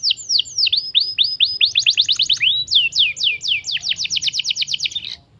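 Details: Young canary in full song, a continuous chain of quick downward-slurred whistles, phrases shifting pace, with one rising note mid-way and dense fast repeats toward the end.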